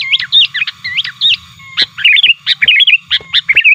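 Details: Sooty-headed bulbul calling actively to challenge rivals, used to lure wild birds: lively, bubbly, warbled phrases repeated in quick succession, with sharp clicks between them over a faint low hum.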